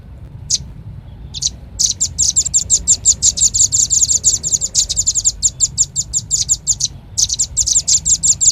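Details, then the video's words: Lure call of the red-billed leiothrix, played to attract birds: a few isolated high chips, then a fast steady stream of sharp, bright chirps, a short pause near seven seconds, and the rapid series resumes. "Suara pikat burung rambatan paling ampuh | rambatan paruh merah"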